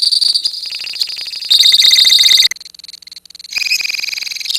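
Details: Lovebird colony in ngekek song: loud fast buzzy trilling, a harsher pulsed burst, a short lull of clipped notes, then the rapid trill swells back.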